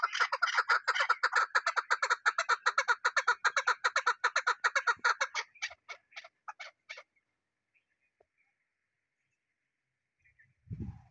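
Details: Chukar partridge, called chakor: a fast run of harsh clucking chuk notes about 2.5 per second, slowing and fading after five seconds into a few scattered notes, then a low thump.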